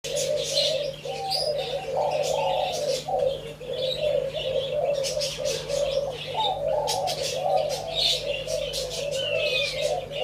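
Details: Spotted doves recorded on 27/3/2569, with overlapping low, rolling, warbled coos running almost continuously and several birds calling at once. Higher chirps come and go above them, with a steady low hum underneath.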